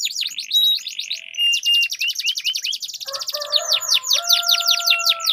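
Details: Canaries in a song duel, a long rolling song meant to trigger other canaries to sing: rapid trills of downward-sweeping notes shift into lower buzzy rolls and steady whistled tones, then quick high sweeps again.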